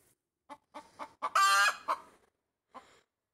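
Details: Pet hen standing on a tree branch making loud chicken noises: a few short clucks building into one drawn-out, harsh squawk, then a single final cluck after a pause.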